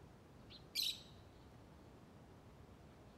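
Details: Lovebird chattering: a faint brief squeak followed by one loud, rasping, high chirp of about a quarter second, then only soft background hiss.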